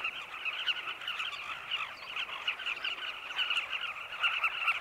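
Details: At sunset in Zambia, a flock of Carmine bee-eaters circles nest tunnels dug in a cliff while searching for insects for their chicks. Many overlapping harsh, trilling calls form a steady, unbroken chorus.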